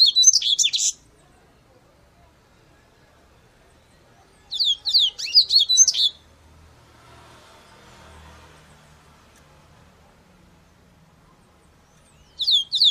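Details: Double-collared seedeater song: three short bursts of quick, high, jumbled chirps and twitters, separated by several seconds of near silence with a faint low rumble.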